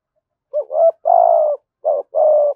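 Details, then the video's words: Spotted dove giving a thổ sấm style call, a low, mellow cooing phrase: two short hooting notes followed by a long drawn coo, then a pause and another short note and long coo, clean and close with no other sounds. "Tiếng chim cu gáy bài bản giọng hay"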